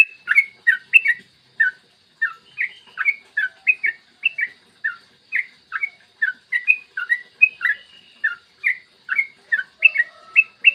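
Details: Morning tutor song of a yellow-vented bulbul, meant to provoke other bulbuls to sing fast: a steady stream of short, clear, bubbly whistled phrases, dipping and rising, repeated briskly without pause.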